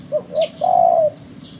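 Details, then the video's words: Spotted dove call used as a bird-trapping lure: two short low coos followed by one long, steady drawn-out coo, with faint high chirps from another bird above. "Suara Burung Terkuku"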